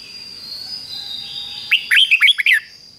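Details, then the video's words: Red-whiskered bulbul in the Thai doubled "beun" song style, phrased fig-jig-fok, played daily for young birds to copy; a quick burst of five or six loud whistled, slurred notes after a quiet start, with a steady high hum behind. "นกเบิ้ลอาชีพง่ายๆ ฟิก-จิก-ฟก ล้วนๆ เปิดไห้ลูกนกฟังทุกวันติดแน่นอน"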